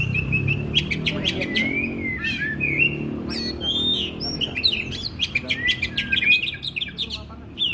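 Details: Oriental magpie-robin in full song, used to train caged birds: rich sequence of whistled phrases, bending slurs and rapid chirps, changing pitch constantly, with a faint low hum underneath.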